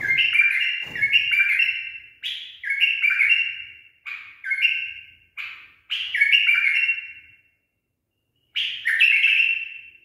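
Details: Tame pet bulbul with a trained song, a barwaz style, giving bright whistled phrases that slide and warble between about mid and high pitch. The phrases come in quick succession with short gaps, and a longer pause falls near the end.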